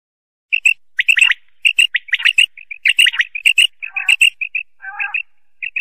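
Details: Common quail (Coturnix) giving a rapid string of short, sharp, high chirps, some doubled or clustered, with a few buzzy rasping notes; nearly two notes a second, with no other sounds.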